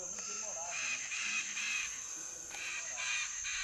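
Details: Chestnut-fronted (severe) macaws settling to sleep in the evening near Rio Branco, southwestern Brazilian Amazon, give harsh, raspy screeches in quick bursts over a steady high insect whine, with a faint low voice early on.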